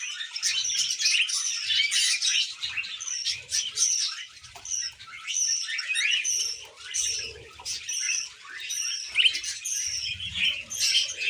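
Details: Tame female budgerigar chattering nonstop, a dense, scratchy warble of quick chirps and short whistled notes with brief dips in loudness every second or two; faint low thumps underneath.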